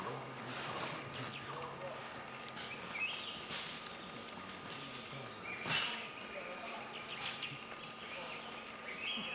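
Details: Black-breasted thrush (Turdus dissimilis) in Thailand, 23 January 2020, giving thin, very high chirps every two to three seconds, over a steady electrical hum, background noise and faint voices.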